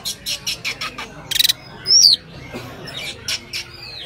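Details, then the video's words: Cak ijo, or common iora, delivering isian song: quick high chirps, a rattling burst, and a loud downslurred whistle, then scattered softer notes. "cak ijo isian istimewa"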